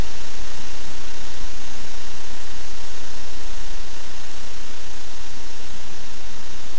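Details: Loud, constant roaring noise filling the whole range, like a fan or engine running close by, with no animal voice audible.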